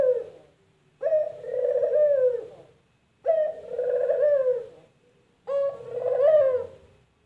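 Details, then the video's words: A spotted dove, puter in Indonesian, repeats its purring coo three times at regular two-second gaps, each phrase a clipped note then a long, quavering, descending trill. "Suara Burung Puter Empukjeruu"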